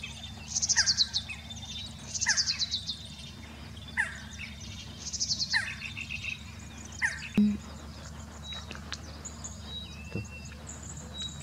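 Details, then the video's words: Black-throated Barbet, a barbet of arid ecosystems, giving short bursts of harsh, nasal chattering notes every one to two seconds; thin whistles from other birds and a steady low hum behind. "Black-throated Barbet singing"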